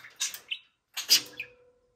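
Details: Pet budgerigars, kept caged, lively on a Friday morning; two short bursts of sharp, high chirps and warbles with brief silent gaps between them, indoors.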